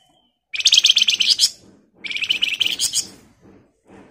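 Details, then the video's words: Energetic red avadavat song meant as a lure to prompt other birds to reply: two tight, rapid high trills of about a second each, rattling and slightly rising, followed by faint low murmurs. "Flamboyan Gacor Emosi Ngebren Rapat Nyerecet Cocok buat Pancingan agar cepat Nyaut"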